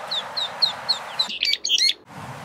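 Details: Orphaned eastern spot-billed ducklings near adult ducks, 2020, seeking adoption; clear descending high peeps every quarter second, then a burst of louder, harsher, complex high notes before the hiss returns.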